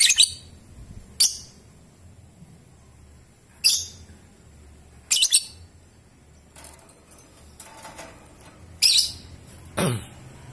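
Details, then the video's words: Lovebird noted for ngetik and long ngekek utters repeated sharp high chirps at uneven gaps, with some clicking and fluttering noises and a low hum between calls. "Burung Love Bird Ngetik dan Ngekek Panjang"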